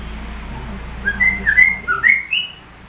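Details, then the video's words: Sooty-headed bulbul singing like a white-rumped shama, a short phrase of five slurred whistles, the last rising higher, over a low steady hum. "Burung TRUCUK rasa MURAI BATU"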